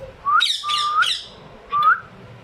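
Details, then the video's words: Household pair of ringneck parrots: rising whistled notes run into coarse, buzzy squawks, followed by a pause and one more short whistle with a rasp on top. "My talking pair of ringneck parrot."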